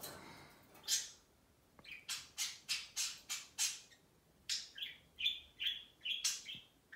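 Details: Indoor budgies chatter with crisp clicking bursts, then a sequence of short, bright whistled chirps alternating with ticks, pulsing steadily.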